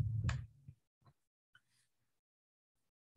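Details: Low thumps and brief clicks with long silent gaps, no animal voice.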